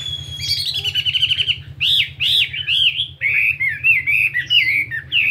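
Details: Chinese hwamei, fighting type, 72 grams, singing in morning voice practice: a fast trilled series of whistles, then loud swooping notes and varied looping whistled phrases, with a low mechanical hum beneath.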